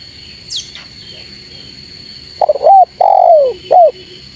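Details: Spotted dove calling rivals, preceded by a couple of faint high chirps; then a stuttering coo, a long loud descending coo and a short final coo, all over a steady thin electronic tone.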